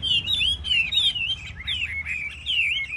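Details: Chinese hwamei singing in a cage contest: clear, loud whistled phrases that rise and fall in smooth slurs, delivered in bursts with brief pauses, over faint low hum.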